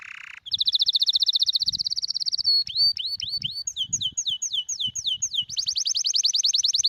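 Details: Tutor song of a sparrow meant to teach other birds to sing and stimulate mating: a long, rapid, high trill gives way to repeated downward-sweeping whistled notes, ending in another fast, steady trill.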